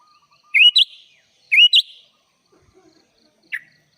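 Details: Sooty-headed bulbul (kutilang) singing in the lively 'gacor full isian' style: two short whistled phrases, each a rising slur then a higher note, about a second apart, then one faint downslurred note, with a quiet background.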